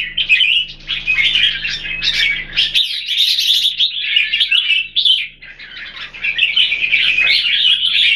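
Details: Caged Red-whiskered Bulbuls kept in Singapore, two birds set against each other, singing a dense, continuous run of bright chattering and warbled phrases. Notes bubble rapidly with short slurred whistles, a brief pause near the third second, then resume strongly.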